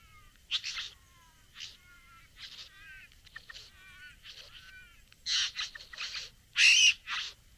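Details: Satin bowerbird courting a female at its bower, producing scattered hissing bursts and buzzy, wavering harmonic notes, growing louder toward the end with harsh rasping blasts.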